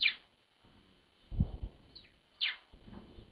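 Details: At a winter-morning feeder, tits that have come early after a cold night give short, high, downward-sliding call notes, three in quick succession, between soft low knocks and rustles.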